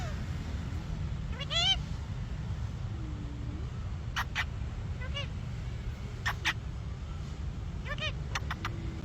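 An Alexandrine parakeet gives harsh, shrill screeches in short bursts at irregular intervals, one drawn-out and wavering, over a steady low rumble like distant traffic.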